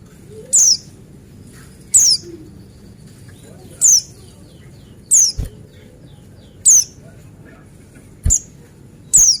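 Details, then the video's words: Buxtoni white-eye male lure song: seven sharp, very high descending notes at steady intervals of about one and a half seconds, with faint low clicks and a soft background hum. "Pleci Apa Saja Jamin Nyaut dan Gacor Dengar Suara Pleci Buxtoni ini"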